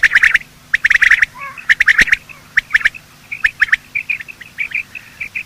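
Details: Male and female quail morning calls used in quail hunting: loud clicking bursts at the start, then softer trilled chirps repeated toward the end.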